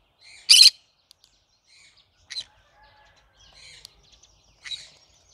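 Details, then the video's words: Cinnamon green-cheeked conure letting out one loud scratchy squawk followed by two softer, shorter calls, with light chatter between them. "I like Green cheek conure : Chinnamon conure singing to day so funny."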